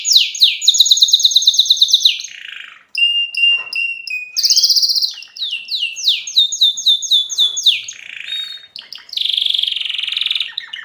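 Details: Excited young canaries singing loudly: fast trills of repeated high notes, buzzy rolls and sweeping whistles follow one another without pause, some phrases steady and some dropping in pitch.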